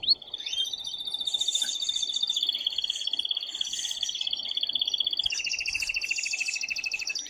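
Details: Worked-up male canary in song to encourage the female to mate: a long, even, purring roll held for about five seconds, then a switch to a higher rapid trill that carries on steadily.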